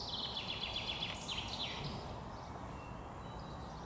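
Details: European serin in Tivoli landscape park, Ljubljana, Slovenia, on 14 June 2023, giving a fast, high, jingling trill of buzzy, glassy notes for about two seconds, then fading, over a steady low rumble of distant traffic.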